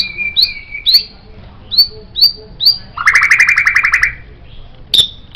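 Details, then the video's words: White-rumped shama song used to train songbirds: a steady whistle, then bright upslurred notes repeated about twice a second, a rapid buzzy trill of about one second, and a final sharp note. "MURAI BATU Ini Sangat Cocok Dijadikan Masteran Burung Kicau"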